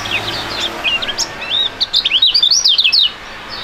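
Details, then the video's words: Duet of two young caged Indonesian contest songbirds with a fighting style; a brisk, ringing string of high, arched, chattering notes, getting louder and faster toward the end before stopping abruptly. "STORING DUET PRUGUT DUA BURUNG MUDA YANG SANGAT ISTIMEWA"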